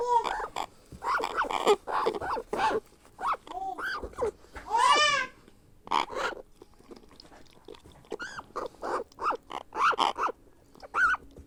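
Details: Hand-fed grey parrot hatchling begging during feeding: a rapid, nearly continuous run of short raspy, bleating calls that bend up and down in pitch, with one longer wavering squeal midway and faint handling sounds between calls.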